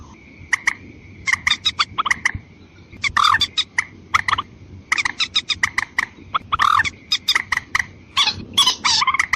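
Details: Watercock lure call aimed at females and males: sparse clicks build into fast rattling runs and scratchy rising bursts, carried over a steady faint whine.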